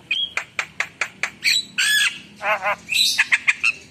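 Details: Javan myna singing vigorously with rich fillers (isian): a short whistle, then a steady run of sharp ticking notes, followed by buzzy drawn-out squawks, wavering nasal notes and a final burst of bright whistled chips.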